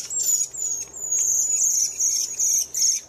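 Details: Redwing giving a series of very high, thin, slightly falling notes, about two or three a second, with short gaps and faint twitters between them.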